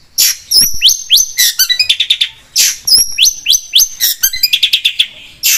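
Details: Long-tailed shrike singing in a lively trigger recording: rapid, varied phrases of sharp chirps, upward-sweeping whistles and fast stuttering notes tumbling together, with brief pauses between bursts.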